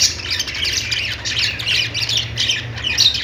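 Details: Short burst of budgie chatter, harsh squawking warbles and a few clear whistled chirps overlapping without pause, low hum in the background.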